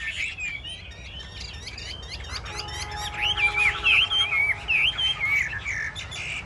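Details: Chinese hwamei, one of several caged birds singing against each other, starts softly amid background noise and a steady tone, then breaks into loud, wavering whistled phrases.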